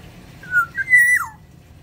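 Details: Caged Sumbawa black-naped oriole singing in an aviary, giving a short mellow whistle followed by a sustained pure fluty note that drops away at the end. No other sounds intrude.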